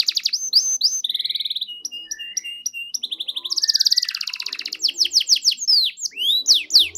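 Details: Canary, called kenari, in full continuous song used to prompt quiet canaries to answer: fast rolling trills, buzzy rattles and repeated whistled notes, changing pattern every second or so, ending in rapid sweeping chirps.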